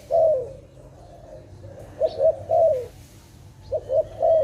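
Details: Dove cooing during bird trapping: a long opening coo, then paired rolling notes and a sliding coo, repeated twice, steady low hum in the background.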